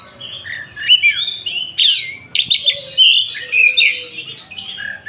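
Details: Kacer, the Oriental magpie-robin, of the Tasik type, in full song: a rich, unbroken stream of rising and falling whistles mixed with rasping, buzzy notes, clear and loud over a faint low hum.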